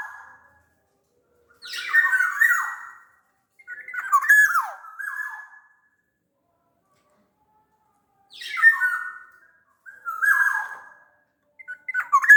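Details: Big-bodied black-naped oriole of the Sumbawa type, singing steadily: five bursts of rich whistles blended with grating nasal notes, each phrase about one second long, separated by pauses of one to four seconds.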